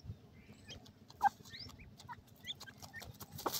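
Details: Francolin chicks, given as golden francolin and grey francolin (teetar) babies, calling with short thin upward-sweeping chirps scattered irregularly through the clip over faint low rumbling background noise.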